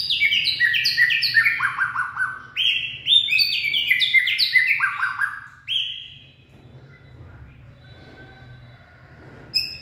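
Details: Late-afternoon singing of a purebred white-rumped shama, 18 February 2024: about six seconds of fluty, stepped whistles tumbling downward in fast sequences, then near silence with a faint note at the very end.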